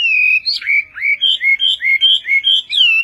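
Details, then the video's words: Chinese hwamei, Vietnamese Họa mi Tây song: a long clear whistle, then alternating short rising and falling whistled notes in a brisk, bouncing rhythm. The song closes with a high, descending slur. "HỌA MI TÂY - TIẾNG HÓT VIỆT"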